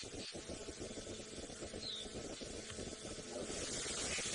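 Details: Wind rumble and a running vehicle engine fill the clip, with no animal calls standing out.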